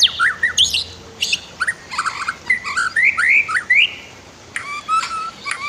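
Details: White-rumped shama singing as a master song for training other birds, paired with a flowing river: rich varied whistles, upslurred notes and sharp high chips in bursts over nearly six seconds, faint water murmur behind.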